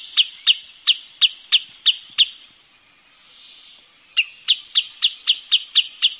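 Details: A wood sandpiper utters two bursts of loud, high, clipped notes, seven then eight, spaced about a third of a second apart and separated by a quiet two-second gap.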